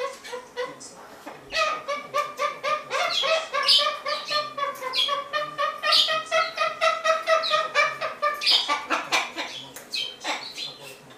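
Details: Pet Amazon parrot in a good mood, kicking up its legs to dance while calling: a rapid run of harsh, rhythmic chattering notes with a steady nasal tone beneath, repeated pulses for about ten seconds.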